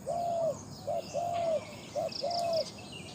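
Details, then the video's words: Captive decoy spotted dove with a big voice, used to lure wild doves, gives low hollow coos: a short clipped note, then a long drawn, slightly arched coo, repeated about three times. Faint high insect chirps are audible. "ต่อนกเขาใหญ่ EP2 เสียงนกเขาใหญ่"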